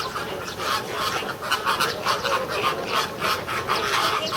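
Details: American flamingos at Ueno Zoo, Japan, filmed June 2016, calling as if quarrelling: a dense, overlapping chorus of nasal goose-like honks, repeated irregularly by several birds at once with no pause.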